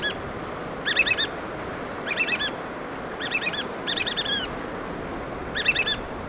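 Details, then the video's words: Feeding chicks along the Washington shore, black oystercatchers pipe in rapid clusters of high, sharp whistles, five loud bursts spread through the recording, over constant low surf noise. "Black Oystercatchers Feed Chicks"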